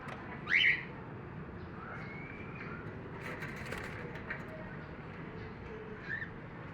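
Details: A split fallow cockatiel of the whiteface pearl and silver mutation lines gives one loud, sharply rising screech, followed by softer whistles over a steady hiss.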